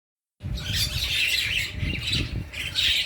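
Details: Birds chirping while being fed: dense, high, squeaky chirps in overlapping bursts after a short silence at the start, with low rumbling thumps and rustling underneath.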